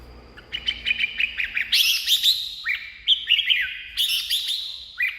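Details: Red-whiskered bulbul singing, a recording meant to excite caged birds: rapid chains of clear whistled notes, bubbling and bouncing, some sharp upswept notes, phrases repeated with brief gaps.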